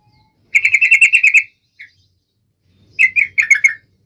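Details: Trucuk (yellow-vented bulbul) in sharp, emotive song to rouse other trucuk birds: a fast string of bright chirps, one lone note, then another quick chirped run slurring slightly downward.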